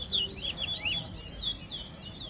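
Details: Towa towa (chestnut-bellied seed finch) in a head-to-head singing contest at Soesdyke, Guyana; rapid clear whistles swooping down and up in repeated short phrases over low crowd murmur, with a spoken count after.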